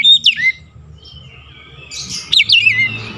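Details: Oriental magpie-robin (kacer) song played as a lure and stimulant for a stressed bird that has stopped singing: two loud, clear whistled phrases with sharp upward and downward sweeps, separated by a quiet gap with a low background hum.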